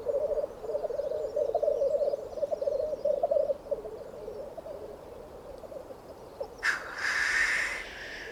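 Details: Black grouse calling to mate on an Alpine mountainside in spring: a steady low bubbling warble for several seconds, then quieter, and a sharp hissing rush near the end, with faint distant chirps.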